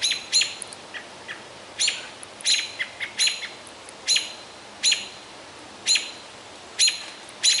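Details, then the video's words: American robins give sharp, high, clipped alarm notes, roughly one or two each second at irregular intervals, while mobbing a juvenile great horned owl around noon on a near-90°F day in Minnesota's boreal forest. "Great Horned Owl Harassed by Robins"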